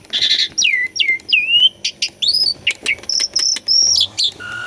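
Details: Asian pied starling song meant to provoke stuck birds into singing: a harsh buzzy note, a string of swooping downslurred whistles, then sharp rising notes and high clipped whistles evenly spaced about every half second.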